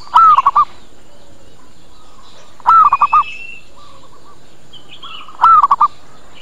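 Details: Zebra dove lure call, meant to bring other zebra doves in quickly and make them answer: a stuttering phrase of rapid rolling coos repeated three times, about every two and a half seconds, with clicks, faint chirps and background hiss between.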